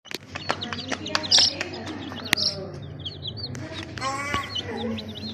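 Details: Colourful little chicks peeping: rapid, high, upward-slurred cheeps repeated in quick succession, with scattered clicks and knocks and a soft low background murmur.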